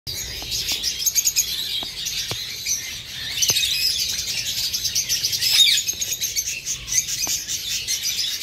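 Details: Eastern rosella pair with two fledged chicks; the older fledgling feeds itself and is chased by the male. Dense high chirping and twittering runs throughout, with scattered sharp clicks.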